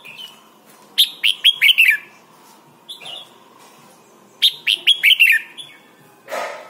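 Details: A red-whiskered bulbul in Thailand, in a song recording meant for training young birds, gives two bright, bubbly phrases of four or five quick downslurred whistles each, a few seconds apart, over a faint steady hum.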